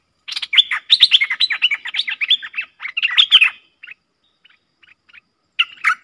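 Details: Streak-eared bulbul pair dueling fiercely in song, recorded 30/10/2021 as a luring sound: dense run of chattering, warbled notes rising and falling for about three seconds, then scattered short chirps and a final burst of notes.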